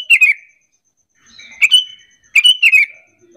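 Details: Lure call of a Sooty-headed bulbul intended to get other bulbuls calling in reply; three lively, bubbly phrases of quick downward-sliding notes, roughly a second apart, over faint high ticking.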